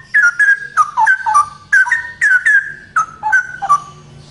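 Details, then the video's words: Male straw-headed bulbul singing eagerly and loudly in ropel style: a steady stream of rich, liquid whistles, each note swooping down or up, delivered several per second without break. "Burung Cucak Rowo Jantan Gacor Suara Lantang ROPEL"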